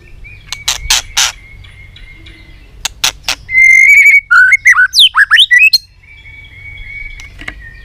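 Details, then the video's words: White-rumped shama, tail-flicking and singing very excitedly in a many-voiced style. Sharp dry clicks come first, then a long level whistle, a burst of quick varied twisting whistled notes, and more steady whistles at the end. "Chòe Lửa tạch đập đuôi kích lửa cực sung. kích chòe Lửa lên lửa sổ giọng.chòe Lửa hót nhiều giọng"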